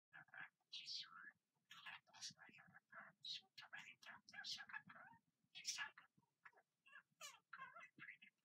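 A budgerigar chatters in a rapid, warbling stream of squeaks, clicks and speech-like mumbles.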